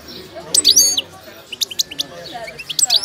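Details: Moroccan wild goldfinch singing while in moult, giving quick bursts of high, sharp twittering and tinkling notes with short buzzy slurs, spaced by brief pauses, over faint background murmur.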